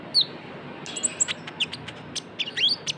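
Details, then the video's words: Trotol-style brown-throated sunbird (konin) used as a lure: one high, falling whistle, then a busy series of short, sharp chirps and clicks high in pitch. "PANCINGAN KONIN TROTOL GACOR (KOLIBRI NINJA)"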